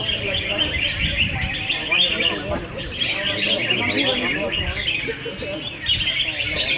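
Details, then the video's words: Red-whiskered bulbuls in a singing battle give dense, overlapping bursts of bright chirps and short whistled phrases, steady throughout, with low murmuring voices underneath. "Red Whiskered Bulbul Singing Battle"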